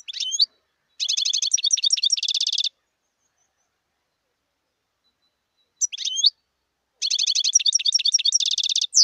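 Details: Wild European goldfinch repeating its song in two long bouts: a few sweeping call notes, then extended runs of rapid buzzy, jingling trills, separated by several seconds of quiet.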